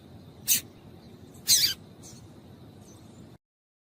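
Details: Female double-collared seedeater calling to stimulate a male: two short, bright, high-pitched chip notes a second apart, the second slightly longer, followed by faint softer ticks over a quiet background.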